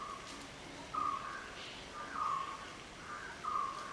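A black-headed oriole gives short, liquid, fluty whistles, repeated about every second and a half at a steady mid pitch, over a quiet outdoor background.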